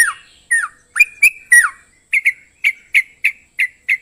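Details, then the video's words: Sooty-headed bulbul: several loud, falling and rising slurred notes, then a tidy run of six short, bright chirps evenly spaced about three per second; quiet background. "KICAU TRUCUK DJAWARA"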